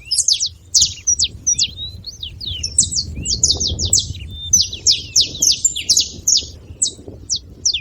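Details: Busy chatter from a group of saffron finches: sharp high chips mixed with a few short rising whistles, thinning toward the end into isolated notes.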